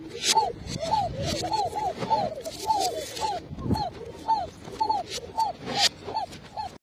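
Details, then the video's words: Khoka pigeons, known as Arabian trumpeters, produce quick repeated hooked coos from several birds together, a busy overlapping chatter with scattered clicks and knocks. "khoka pigeon(arabian trumpeter)"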